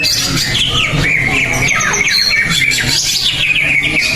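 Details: During a singing competition, a first-place greater green leafbird gives a short burst of high looping whistles and sharp chirps. Several other birds call at once in the background.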